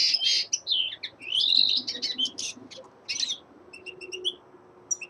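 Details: Common linnet, a young male in winter, delivering a fast, dense warble of twittering and slurred notes, then sparse short chips toward the end over low background noise.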